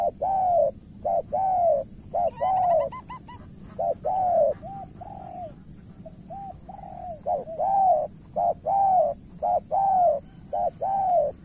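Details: Spotted dove in Cà Mau, Vietnam, calling as a decoy to lure a seasoned opponent. A long series of paired coos, short then drawn-out and falling, with a burst of rapid higher chirps early on.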